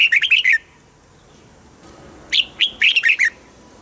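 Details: Red-whiskered bulbul kept in a cage, delivering two quick phrases of bright, bubbling whistled notes, each phrase a tight string of four to six rolling syllables.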